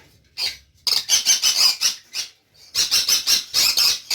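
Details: A crested (flower-head) budgerigar (Melopsittacus undulatus) gives a quick run of harsh, high, scratchy chattering chirps.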